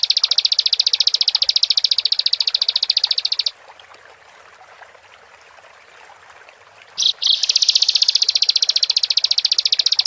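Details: Bar-winged prinia in gacor style, used as a lure to rouse other prinias to sing: a fast buzzy trill of even high pulses for about three seconds, a few seconds of quiet, then the rapid trill resumes.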